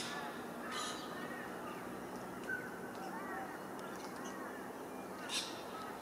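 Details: Glossy black cockatoo (Calyptorhynchus lathami) in the Noosa Biosphere Reserve, Queensland, Australia, giving soft, harsh, drawn-out calls over a steady background hiss, with a couple of brief clicks.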